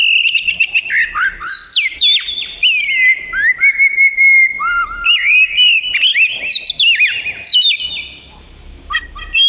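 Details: Oriental magpie-robin in varied, energetic song: clear whistled phrases sliding up and down, mixed with quick sharp chirps and short trills, continuous and loud throughout, with faint low background rumble.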